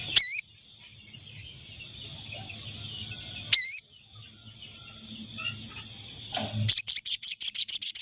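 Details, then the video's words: Ashy tailorbird call used as a decoy to attract wild birds: two brief, sharp upslurred notes a few seconds apart, then a fast series of high, evenly spaced chips at the end, over a constant shrill insect hum. "Suara burung sogon untuk pikat"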